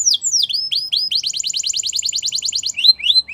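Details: Canary song intended to stimulate canaries to sing. Loud descending sweeps lead into a long, fast trill of repeated double notes. It ends with a few rising and falling whistled slurs.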